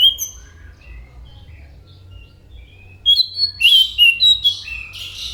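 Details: Orange-headed thrush song: a few faint whistles, then a loud, dense burst of buzzy and whistled notes in the last two seconds.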